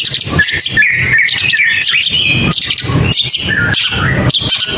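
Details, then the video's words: Long-tailed shrike pouring out a busy medley of chirps and slurred whistles, some bright and high, others lower and scratchy, with almost no gaps, over a clicking, noisy background. "Gacorin Cendet Gak Pake Ribet"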